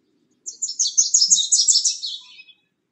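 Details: Bewick's wren bringing nesting material to a newly found nest box; a two-second run of rapid, scratchy chattering notes, bright and high, slowly fading toward the end.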